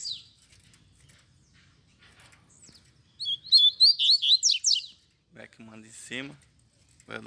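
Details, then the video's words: Double-collared seedeater song from caged birds carried in hand, with a wild bird singing nearby: one burst of fast, buzzy, warbled high notes, followed by a man's voice talking. "DOIS COLEIROS CANTANDO DE GAIOLA NA MÃO E O MATEIRO SOLTO MANDANDO VER!!!"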